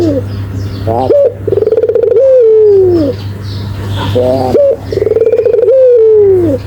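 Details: Barbary dove in full, vigorous voice, as used for bird training and luring: twice, a short rising burst, then a rapid rolled trill leading into a long, slowly falling coo, all low-pitched over a low background hum.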